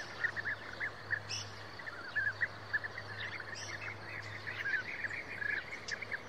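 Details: European bee-eaters giving many short rolling calls in a steady scatter, overlapping as from several birds, over constant hiss and a low steady hum.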